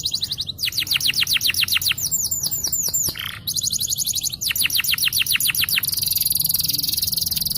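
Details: Long song of a champion yellow canary: rapid rolls of falling whistles, a run of looping liquid notes, more fast descending trills, and a closing high buzzy rattle.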